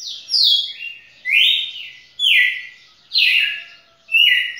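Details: A champion red-cowled cardinal sings a record run of over two minutes: loud, clear whistled phrases, each sliding from high to middle pitch, about once a second in a steady series.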